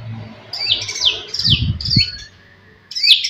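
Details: Short burst of white-rumped shama song used as a lure for rival birds: several high, sharply slurred notes in quick succession over noticeable low background noise, then a brief gap before one more note.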